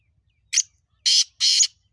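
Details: Kala teetar, the black francolin of the hills, calling: a short sharp note, a pause, then two long coarse rasping notes back to back, with another harsh note starting as the phrase repeats; otherwise quiet.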